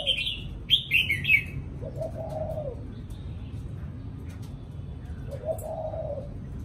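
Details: Spotted dove thổ cụ cooing: two low, mellow coo phrases several seconds apart, with louder bright chirps from another bird at the start and a background murmur.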